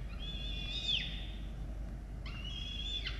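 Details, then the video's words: Peregrine falcons at a nest in Orange, Australia, on 18 October 2022, with chicks being fed, recorded by a nest camera. Two drawn-out, high, thin calls, each about a second long, hold level and then drop sharply at the end over a steady low hum. "Sokoły wędrowne - Diamond & Xavier & Indigo🐥🌹🍀 & Rubus 🐥🌹🍀 - Karmienie"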